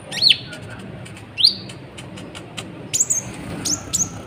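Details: Sunbird calling to provoke other birds: sharp, down-slurred high chirps, some in quick pairs, with short pauses between them, over a faint steady hiss.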